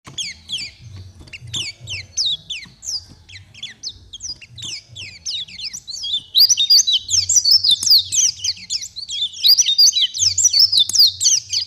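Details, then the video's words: Java sparrow singing: sparse high chips and short downslurred notes at first, then a dense run of bright clicking and tinkling notes from about six seconds, with faint low rumble beneath. "Suara burung perci istimewa"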